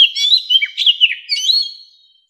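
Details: Old wild Oriental magpie-robin singing to lure other birds: a loud, continuous stream of varied whistles, sharp slurred notes and trills in a quick jumbled rhythm over about two seconds, fading at the close.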